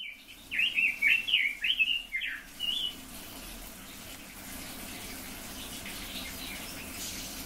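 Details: Red-billed leiothrix, recorded alongside silver-eared mesias, giving one fast warbling phrase of slurred, up-and-down whistled notes lasting about two seconds, then only a soft steady hiss.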